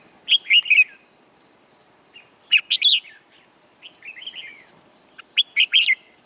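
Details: Red-whiskered bulbul, a new caged decoy bird used for trapping, singing in the ché style: three bursts of loud, rich warbled whistles a few seconds apart, with fluty rising notes between them and a steady thin high whine throughout.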